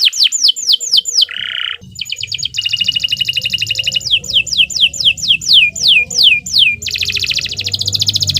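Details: Long unbroken canary song meant as a tutor recording for young birds: repeated descending whistled sweeps, a brief buzzy note, dense fast trills and rolling rattles, switching rapidly between phrase types, bright and high throughout.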